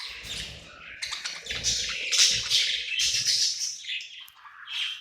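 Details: Budgie singing and chirping at night in its new home, a dense, continuous warble of squeaky, scratchy notes with a faint low hum underneath at times.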